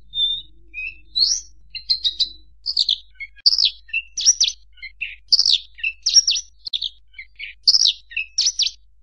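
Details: Varied bushlark song made of sharp chirps, downward-slurred notes and short clipped trills, each phrase about half a second apart, high and clear with no other sounds.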